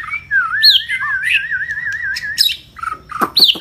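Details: Long-tailed white-rumped shama from Vietnam in full, intense song: a sustained wavering whistle runs through the middle, framed by sharp upslurred notes, quick chirps and clicks.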